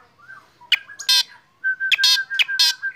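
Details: Caged black drongo singing while sunned in the morning: harsh buzzy bursts and sharp clipped notes over a steady, level whistle from other birds joining in.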